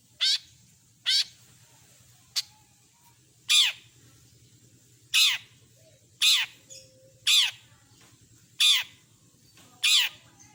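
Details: Long-tailed shrike repeating loud harsh grating screeches, each short and rasping, spaced about one second apart, with a faint low hum underneath.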